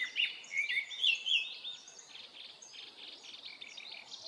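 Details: In a Hokkaido forest in early summer, a Japanese thrush delivers a short burst of rich, slurred whistles over the first second and a half, then quieter buzzy notes trail off. Recorded with a Nikon Coolpix P950.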